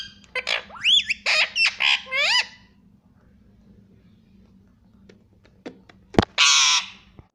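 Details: Pet green parrot talking at home, a run of short harmonic vocalisations rising and falling in pitch, then silence and a loud harsh squawk near the end.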